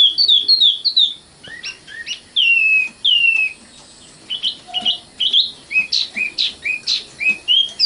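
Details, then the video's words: Varied common nightingale song: fast whistled note clusters, then slurred downward whistles, a pause, and a rhythmic string of sharp chirps about three per second. "kicau burung sikatan londo matal"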